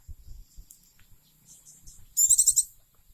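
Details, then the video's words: Oriental white-eye, a pet bird now dead, giving faint high twitters before a loud, rapid burst of very high trilled notes lasting about half a second; low thumping handling noise underneath. "burung pleci gacor"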